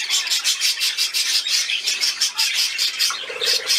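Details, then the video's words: Budgerigar playing, 13 December 2019, gives a fast series of bright, high chirps, roughly five per second, in a rhythmic pulsing chatter, with a faint voice near the end. "Der Wellispielfilm"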